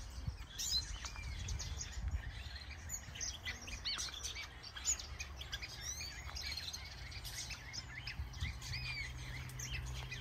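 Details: Many captive bird species, among them finches, canaries, goldfinches, Gouldian finches, Java sparrows and turacos, in a planted Danish aviary during breeding; busy short tweets and upward-sweeping chirps overlap continuously over a low rumbling background.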